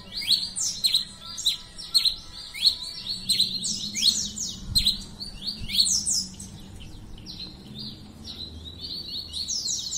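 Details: Pileated finch singing steadily, a rapid run of high, thin down-slurred chips repeated several times a second, with a faint low hum beneath.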